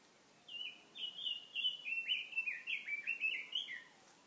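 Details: Lively songbird by a mountain brook: after a brief pause, a fast run of clear whistled chirps, about three per second, each sliding downward, forming a tumbling warbled phrase that lasts over three seconds against quiet background noise.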